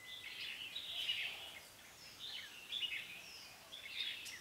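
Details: Red-whiskered bulbul, a decoy bird singing competitively to lure wild birds into a trap, recorded 5 September 2017 in Vietnam; bright warbled phrases in three bursts about every one and a half seconds, over faint background noise.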